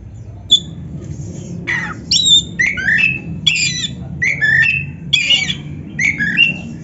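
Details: Black-breasted oriental magpie-robin, caged, singing to stimulate other caged birds; a string of harsh buzzy notes and quick whistled slides, loud and varied, delivered in short phrases.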